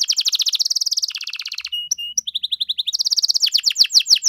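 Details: Canary with an ornate, fast-paced song intended to draw replies from other canaries; dense rolling trills, a pair of pure flat whistles, then a string of quick, clipped notes and sweeping chirps.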